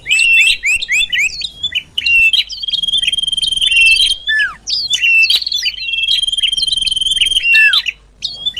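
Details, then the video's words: Common iora lure call for attracting birds: clusters of sharp upward chirps, then long trilled high whistles ending in steep falling notes, the phrase repeated twice with brief pauses. "Suara Pikat Sirtu Cipoh"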